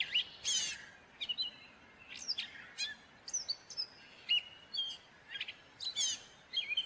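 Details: A gray catbird sings a long, rambling sequence of varied chips, squeaks and short whistles, each phrase different, delivered in quick succession with brief gaps.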